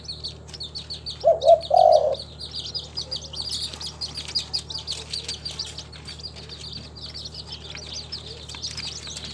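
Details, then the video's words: Kept local spotted dove in Timika, Papua, uttering two short soft coos followed by a longer rolling coo, then falling silent while dense high-pitched chirping from small birds and a faint low hum continue. "SUARA BURUNG TEKUKUR LOKAL, THE SOUND OF SPILOPELIA CHINENSIS"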